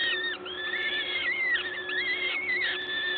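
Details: A peregrine falcon nest in Gdańsk, Poland, 14 May 2022 at 11:07, with a parent feeding. Sustained, wavering whine-like notes run almost without break from overlapping voices, above a constant low hum.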